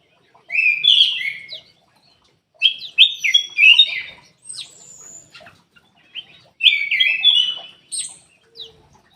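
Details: Ruby-throated bulbul song serves as a lure to make caged birds that rarely sing start calling. Three phrases of bright, jumbled whistles and chirps come a few seconds apart.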